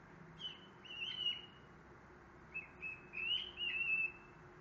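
A cockatiel gives clear whistled calls, a rising-and-falling phrase repeated twice.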